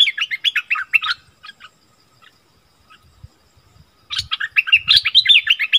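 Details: Fierce vocal dispute between wild striated bulbuls: a burst of fast chattering whistles, a near-silent gap of about three seconds with scattered notes, then another loud, rapid run of warbled notes with faint low thumps.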